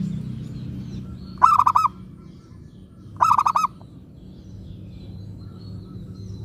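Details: Local zebra dove, a lively lure singer kept to set other zebra doves answering, gives two bursts of rapid, pulsed, mellow coos about two seconds apart over a steady low hum.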